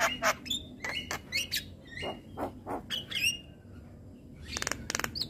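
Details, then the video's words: Morning singing of a Javan myna: a few seconds of harsh chirps and short whistled upslurs in quick succession, then a pause and some dry clicking notes. "Suara Kicauan Jalak Kebo pagi Hari"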